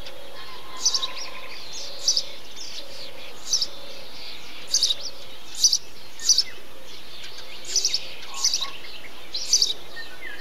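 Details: Eurasian tree sparrow calling in a bee-eater colony, repeating clipped, buzzy chirps, often paired, about ten across the stretch, against distant twittering and a steady high hiss.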